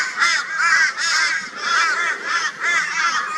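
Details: Crows mobbing a barn owl in Brisbane, Australia, on 22 February 2022, a flock joining forces with loud raucous calls; harsh nasal caws repeat roughly every half second, overlapping one another.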